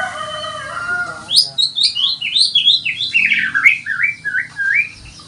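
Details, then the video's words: White-rumped shama singing in the morning as a lure recording: a fast run of bright whistled and slurred notes, descending in steps from high to mid pitch over about four seconds, after a softer lower warbling phrase. "pancingan murai batu pagi hari"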